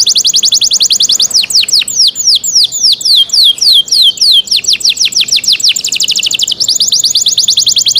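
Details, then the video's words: Canary singing in cenkok style, a loud unbroken run of rapid high sweeping trills, each note sliding downward, about three notes a second, with the pace shifting between tight and looser trill sections. "CENKOK CANARI SOUND, CLEAR SOUND"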